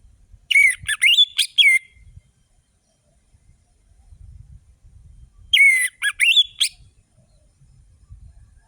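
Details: Orange-headed thrush in full, rapid song, meant to provoke passive birds into singing. Two bursts of bright whistled phrases, each about a second long, are separated by a pause of several seconds. Quiet low thumps sit in the background.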